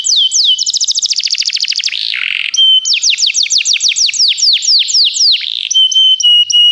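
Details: Canaries singing a lot for song training: short whistled upsweeps, a fast chattering roll, a buzzy low burst, then series of clear descending whistles and a steady held tone.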